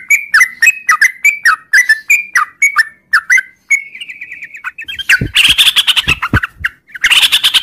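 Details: Sooty-headed bulbul singing a long ngropel song in the morning: evenly spaced, slurred whistled notes, then a brief buzzy trill, giving way to a loud, harsh jumble of chirps with thumping sounds.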